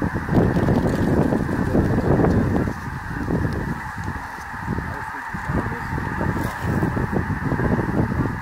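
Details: Snow geese circling and coming in for a landing at Bosque del Apache National Wildlife Refuge, December 2017, many birds honking and yelping at once in a thick, unbroken chorus that swells and eases slightly.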